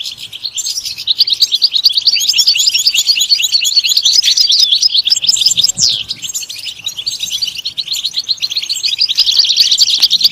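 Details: Continuous song of a European goldfinch: high, tinkling chatter and fluid trills, with a clear downslurred note around six seconds, over a quiet background.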